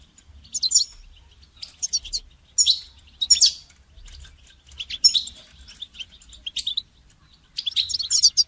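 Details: Song-training recording of a goldfinch: quick clusters of sharp, tinkling chirps and trills, delivered in bursts roughly every second, with a soft low background hum.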